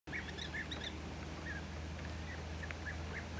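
European bee-eaters give short, liquid rolling 'prruip' notes, several in quick succession over three seconds, above a steady low rumble.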